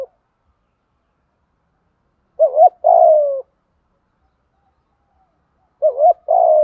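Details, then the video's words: Spotted dove 'thúc gù' coo used as a training lure for captive doves that will not call; after a quiet start, two phrases of a quick quavering note and a sustained, slightly falling low coo, about three seconds apart. "Tiếng THÚC GÙ chim cu gáy mồi bài bản dùng tập chim bổi hay lâu năm không chịu gáy"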